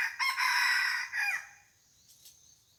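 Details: Decoy red junglefowl luring wild junglefowl where a barking deer visited the previous day: a loud, harsh crow with a brief break and a falling, trailing finish, followed by faint rustling and a steady high insect drone.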